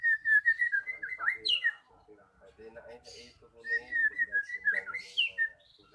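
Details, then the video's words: Song of a magpie-robin used to lure quiet birds into singing: two bursts of fast, sweet whistled warbling separated by softer low chatter. "Pancingan Burung Murai Macet Jadi Gacor"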